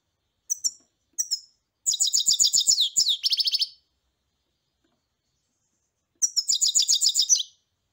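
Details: Singing goldfinch: two separate sharp chirps, then a two-second run of bright tinkling twitters and buzzy trills, a pause, and another high jangling phrase. Faint clicks are audible underneath.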